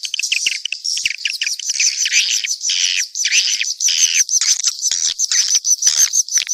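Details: Several swiftlets calling together: high twitters mixed with longer buzzy, rasping calls that rise and fall in bursts about half a second to a second long, separated by brief gaps.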